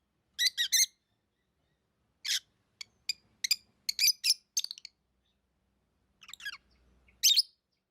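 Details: Lovebird chirping: a fast triple burst of shrill notes, a pause, then a run of clipped, ticking high chirps, ending with a loud rasping call.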